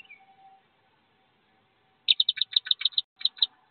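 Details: Wood duck (Aix sponsa) ducklings leaving a nest box about 15 feet up give a quick burst of about a dozen high, sharp peeps in under two seconds, after a near-silent start with a faint thin whistle.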